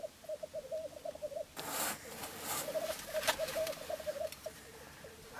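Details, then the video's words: Three displaying black grouse cocks at a lek in Florarna, recorded from the Filsartrusket hide at dawn, 17 April 2013; rolling bubbling coo phrases, interrupted by loud broadband rushing bursts, then the bubbling resumes. "Orrspel i Florarna"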